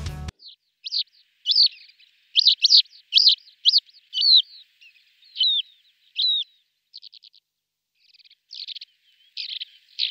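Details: Male lesser short-toed lark calling and singing in flight, including mimicry: sharp high chirps and downslurred notes spaced regularly, then small trilled clusters, preceded by a brief burst of music at the start.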